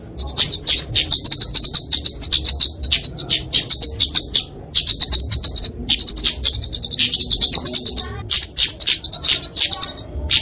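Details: High-pitched fighting song of a kemade, a Dicaeum flowerpecker, used as a tutor and lure for small songbirds: long runs of rapid thin chattering and trills broken by short silences, sustained over several phrases.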